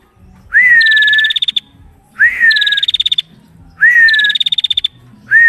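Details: Female prinia repeating one phrase about every 1.6 seconds. Each starts with a rising whistled note that levels off, then breaks into a quick, higher, buzzy trill that stutters apart at the end.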